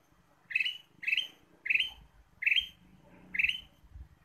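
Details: Ruby-throated bulbul song used as a trapping lure: five bright, slightly rising whistled phrases about half a second apart, each a short burst of clear notes, over faint low rumbling background.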